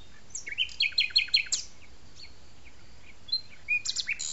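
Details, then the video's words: Common nightingale singing in an arboretum in France: quick rising whistles and rapid repeated chips, a brief silence, then a high whistle and further fast sharp notes. "au chant du rossignol"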